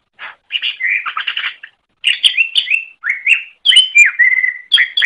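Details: Greater green leafbird singing, used as training song for other birds: varied phrases of quick chirps, buzzy bursts and clear whistled slurs, including a long steady whistle near the end, separated by short pauses.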